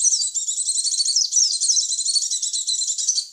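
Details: Lure sound for attracting white-eyes, rendered as a continuous stream of thin, very high chattering notes, rapid and unbroken throughout, with no other sounds present.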